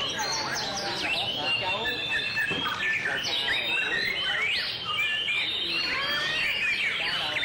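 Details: White-rumped shama giving a song display, bright looping whistles and steep rising sweeps strung into a continuous, richly varied phrase, with brief chattering notes in between.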